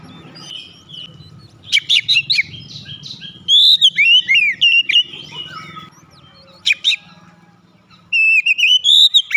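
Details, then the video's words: Kacer, the Oriental magpie-robin, singing energetically with wide-open beak: sharp clicks and chattering notes mixed with clear slurred whistles in repeated bursts, gaps between them filled by soft low background noise. "sekali dengar Kacer langsung gacor ngeplong buka paruh dengan lebar"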